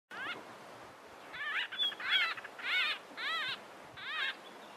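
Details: Three white-fronted bee-eaters interacting near Carlisle Bridge, Grahamstown, give short, nasal, squeaky trills in overlapping bursts about every second, with a steady hiss of background noise.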